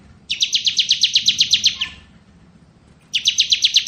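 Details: Bar-winged prinia in ngebren style, crystal type: a fast, even train of sharp high chirps, about a dozen notes in a burst lasting under two seconds, pausing and then starting again, over a faint low hum.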